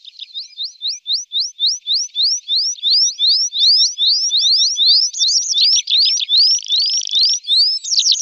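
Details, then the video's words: A tree pipit sings in summer, a fast run of high, rising slurred notes that speeds up, then shifts into new repeated phrases, with no other sounds. "Prispolone canto richiamo"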